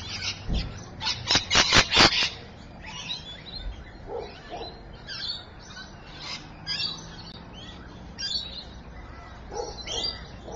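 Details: Rainbow lorikeets at Evans Head, 26 May 2012: a burst of loud, harsh screeches, then several birds keep up a busy, shrill chatter of scratchy chirps.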